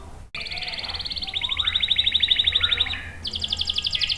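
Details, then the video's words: Canary singing vigorously for luring and tutoring young males: a short click, a buzzy trill that climbs into a steady rapid roll, then a brief break and a higher, faster trill. "SUARA KENARI GACOR ampuh buat pancingan dan masteran kenari paud dan macet | CANARY SINGING"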